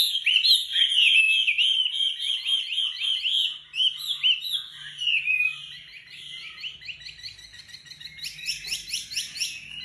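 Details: Tembakan rapat song of a lively wambi, played to tutor other cage songbirds: a rush of bright, piercing whistles sliding downward, then choppy repeated notes, ending in a rapid burst of high ticking chirps.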